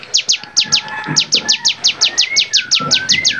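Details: A training recording for songbirds in which a bar-winged prinia delivers a steady chain of high, descending piercing notes, roughly three each second. Thinner rising whistles run underneath.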